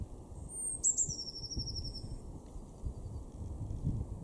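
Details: A Blue Tit in a garden in Weener, East Frisia, northwest Germany, in February 2024 gives very high, thin notes, then a quick falling buzzy trill lasting about a second, over a low steady background rumble.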